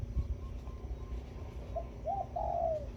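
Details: Morning song of a zebra dove decoy bird in the khan yon style: a quick pair of short coos followed by a longer, wavering cooed phrase that slides down at the end, over constant low-pitched background hum.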